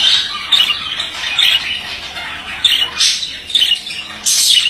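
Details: Male budgerigar warbling steadily, with a dense chatter of buzzy, scratchy notes and brighter squeaky bursts breaking through every second or so.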